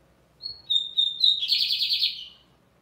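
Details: Lined seedeater song: sharp whistled notes at a steady pitch running straight into a loud, fast, buzzing trill that fades out after about a second.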